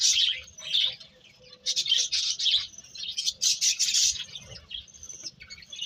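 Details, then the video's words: Birds chirping in high bursts, a quieter start, then a dense run of bright tweets and whistles before tapering off. "Cute Birds Chirping Sounds"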